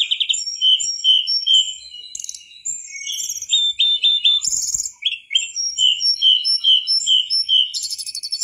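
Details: Tutor recording of a persistently singing mangrove whistler: runs of short high whistled notes, regularly spaced, interrupted by brief buzzy bursts.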